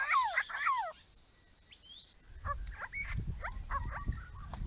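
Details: Grey-crowned Babblers from a small group visiting a garden pond built for them, giving a loud burst of harmonic, down-slurred chattering notes that fades into softer scattered calls over low rumbling background noise.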